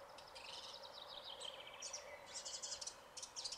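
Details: A red-backed shrike sings an exceptionally showy song, a scratchy, chattering run of high, varied notes in quick bursts, mimicking other birds' voices, over a low steady background hum.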